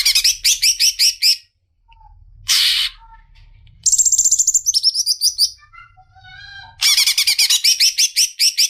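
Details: Cicak ijo, a leafbird, delivering varied 'ngerol' song: bursts of fast harsh repeated notes separated by pauses, a noisy rasp, high thin twitters and scattered soft whistles before another rapid chattering burst.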